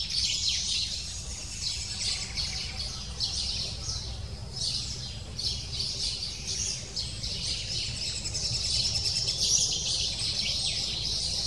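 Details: High, fast begging calls of a lesser spotted woodpecker nestling, roughly three per second, uneven bursts rising and fading while a parent brings food; low continuous rumble underneath.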